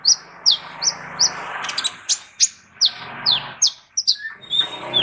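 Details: Sunbird known as kolibri ninja, used as a singing tutor for other birds. Loud, sharp, downslurred high chips repeat steadily over a constant background hiss and low hum.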